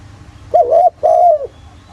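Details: Spotted dove coo, thổ voice, used to lure other doves into calling: a wavering double-pulsed note, a brief pause, then a long smooth coo that falls slightly at its end.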